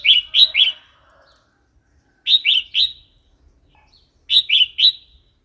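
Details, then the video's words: Red-whiskered bulbul singing in wild style, for training young and newly caught birds; three evenly spaced phrases, each of three rapid rich chirping notes, about two seconds apart. "เสียงนกกรงหัวจุก เพลงป่า"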